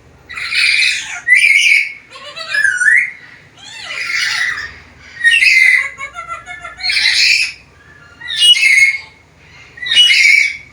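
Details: Very vocal black-capped lory, said to talk and vary its sounds, gives a series of loud, harsh squawks mixed with short whistles and a falling slur, about one burst every one and a half seconds.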